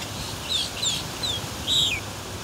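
Boat-tailed grackle giving four short, thin, squeaky notes that slide downward, spaced about half a second apart, the last one loudest, over a low steady background hum.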